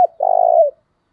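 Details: Wild dove decoy coo, used to provoke and lure other doves: one half-second, steady, slightly buzzy hooting note that dips in pitch at the end, with silence around it.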